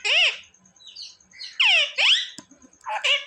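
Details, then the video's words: Pet parrot that talks, said to say mummy and papa and to ask mummy for roti; here shrill, harmonic squawked syllables, arched up and down, in three short bursts with quiet gaps. "Parrot talking mummy mithu ko roti do"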